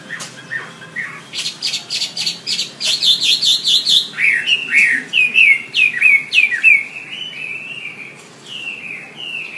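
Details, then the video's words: Wambi song for tutoring other songbirds: a burst of dry ticking notes leads into fast repeated chirps, then a string of sharp downslurred whistles and softer wavering whistles. "Suara WAMBI untuk masteran burung kicau anda"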